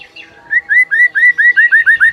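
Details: Morning masteran from a white-rumped shama: a clean run of about nine identical upslurred whistles repeated rapidly and evenly, speeding slightly toward the end.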